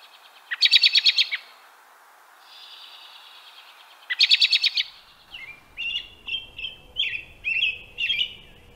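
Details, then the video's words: European robin (Erithacus rubecula): two rapid, pulsing rattled trills, then a run of thin, high, wavering whistled notes over a soft background hiss. "Bird Song - European Robin"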